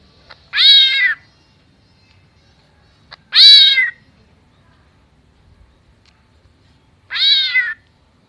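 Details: Greater green leafbird mimicking a cat: three drawn-out, meow-like wails with rich harmonics that bend downward, spaced about three seconds apart against a quiet background.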